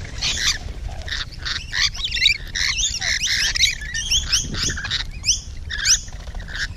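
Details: Morning recording of Rainbow Lorikeets up close in June, a continuous jumble of shrill squeals and rasping chatter from several birds, with a low background rumble.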